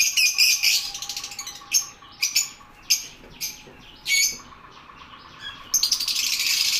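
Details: Lovebirds giving sharp, high chirps and squeaks, some in quick bursts and others spaced about half a second apart, with a noisy chattering stretch at the start and end and a faint steady hum beneath.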